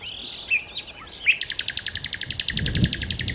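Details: Nightingale song, used for luring birds: a few varied chirps and slurred notes, then a fast, even run of sharp, repeated clicking notes that fills the second half of the phrase.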